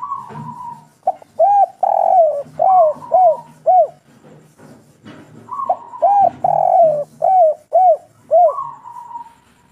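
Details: Kuk 3 singing by a local spotted dove, called derkuku: repeated phrases of a long sustained coo, then a rhythmic series of short rounded notes, pausing briefly before the pattern starts again.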